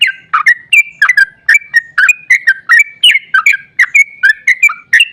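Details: Sooty-headed bulbul delivering a long, fast 'ropel' song as a lure for other bulbuls. Crisp whistled notes slur up and down in quick succession, repeated steadily without a break.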